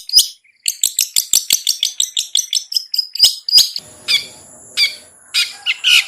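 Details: Long-tailed shrike singing ngetet, a lure to spur hesitant birds into song: fast stuttering high chatter, then a held whistled tone broken by rasping bursts.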